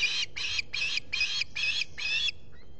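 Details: At a Finger Lakes osprey nest in the US on a July 2021 morning, with a visitor present, the bird gives six evenly spaced, raspy squealed notes in just over two seconds, followed by a faint trailing peep.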